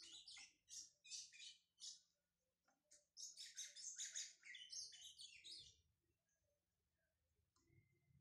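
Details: Brown-plumaged Lined Seedeater warming up in captivity sings spaced high chirps, then a dense twittering phrase of rapid buzzy notes before trailing off into near silence.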